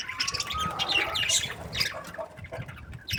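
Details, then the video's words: Happy budgerigars chirping: a long, level whistled note followed by scattered high, quick chirps and squeaks, with a low rumble underneath. "Happy budgies chirping sounds"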